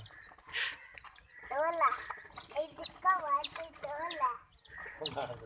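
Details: Colour-dyed baby chicks kept with ducklings give shrill, high peeps that slide downward, repeated rapidly throughout. Lower harmonic calls and background noise are mixed in.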